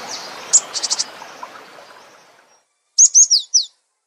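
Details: Cinereous tit 'isian' song: a burst of very high, thin chirps and a quick rattle, a pause, then four sharp high whistled slurs delivered rapidly.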